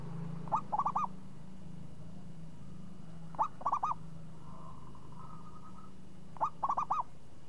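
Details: Champion zebra dove in crisp, swinging renyah ngayun style: three identical rolling phrases about three seconds apart, each a rising lead note then three fast bubbling coos, over a constant low droning hum and a faint tone.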